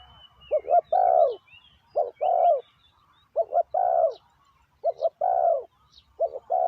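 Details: Decoy spotted dove luring wild doves with phrases repeated roughly every second and a half: paired short notes, then a longer descending coo. Other small birds whistle faintly throughout.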